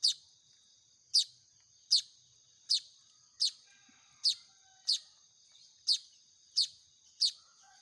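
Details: Hand-fed young Baya weavers beg with a steady series of thin, piercing high chirps, about ten in eight seconds, evenly spaced, each a quick downslurred squeak; constant faint high-pitched hiss behind.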